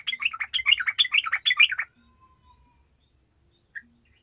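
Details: Fast, jumbled warbling from a gacor sooty-headed bulbul, used to set lazy bulbuls singing: nearly two seconds of tumbling bright chatter, then quiet except a single short note.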